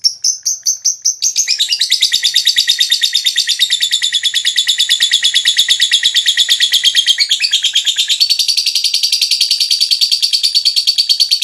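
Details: Long lovebird ngekek, played to stimulate other lovebirds to sing: a few separate chirps launch into an extended, unbroken rapid chatter lasting about ten seconds.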